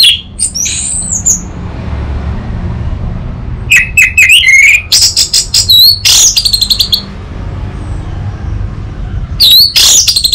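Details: Orange-headed thrush lure song from Singaraja in North Bali, intended to train an untrained young bird. Dense runs of quick, high chattering notes and slurred whistles come in rapid bursts, with brief pauses between them.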